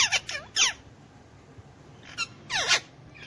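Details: Hand-tame Alexandrine parakeet, a pet sharing space with ringneck parakeets, talking in Urdu/Hindi: two pairs of short, raspy, speech-like squawks with downward-bending inflections, separated by a quiet gap over soft room hum.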